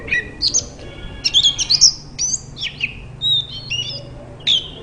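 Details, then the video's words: Singing white-rumped shama, its song used to get other shamas singing; quick bright whistled phrases with abrupt upward and downward sweeps, rapid twittering clusters and brief gaps, over low background hum. "Burung kacer terapi dari tidak bunyi langsung saut dengan suara ini"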